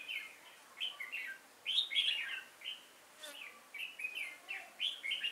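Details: Red-whiskered bulbul decoy at a trap on 5 October 2018, singing to draw in wild birds; rapid chirpy warbled notes in quick uneven runs, with one loud rich burst midway.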